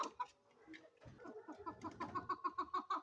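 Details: Female chukar partridge: a second of scattered faint notes, then a quickening train of sharp clucks that grow louder and more regular toward the end.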